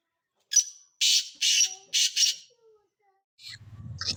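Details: Black francolin, called Sindhi tetar, a bird of good quality: a sharp note and four harsh, buzzy rasping bursts in about two seconds, followed by quieter rustling and low handling noise.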